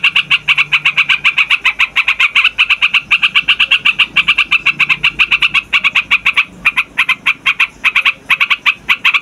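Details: Trucukan in long, noisy rolling song, used as a lure for trapping wild trucukan and as tutor song for young males and females: dense rapid chattering notes, about six per second, harsh and bubbly, continuing without pause.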